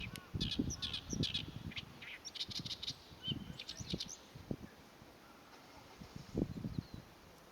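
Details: Oriental reed warbler singing on 23 April 2024 to advertise its territory, a harsh, grating gyo-gyo-shi chatter of broad rasping notes in quick bursts through much of the recording, with low thumping noise underneath.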